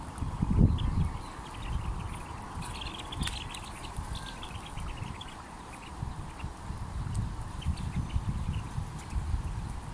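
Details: Twenty Mandarin duck chicks from two broods peeping: quick, thin, high notes in loose clusters, often overlapping, half-buried under steady low-pitched rumble and occasional thumps.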